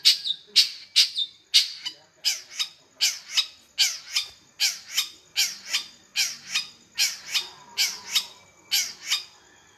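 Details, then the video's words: Long-tailed shrike in lively gacor form, giving a steady series of harsh, rasping squawks, roughly two per second for about ten seconds, each note broad and scratchy, with no other clear sounds. "Burung cendet master gacor"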